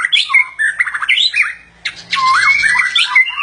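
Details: Mating white-rumped shama giving harsh squawks mixed with quick swooping whistles and rattling bursts, a brief lull, then a loud, dense outburst of grating notes and twisting whistled phrases over a low hum.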